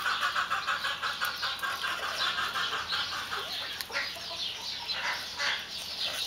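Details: White Silkie chickens keeping up a run of soft, throaty clucks in a loose rhythm, several birds overlapping, with a continuous hiss underneath and a few knocks.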